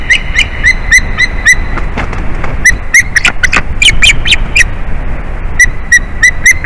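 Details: Adult male white-tailed eagle in the nest on 8 April 2021 around 2:54 pm, calling a lot as his mate returns; his voice sounds young. Sharp, high chipping yelps in quick, uneven runs, about fifteen notes, with brief pauses between bursts.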